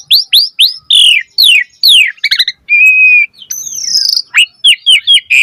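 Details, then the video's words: Asian pied starling in full 'gacor' song with varied material, a lure recording for other starlings: rapid run of rising whistled slurs, buzzy downward sweeps, a steady held whistle and clipped chirps with short gaps, no other sounds. "Suara Jalak Suren Gacor Full Variasi Materi Ocehan - Pancingan Burung Jalak Gacor Full Isian Mewah"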